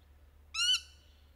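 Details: Rainbow lorikeet among lories playing in trees, given as a courtship mating call: one brief harsh screech with stacked harmonics, slightly rising then flat, lasting about a quarter second against a quiet low hum.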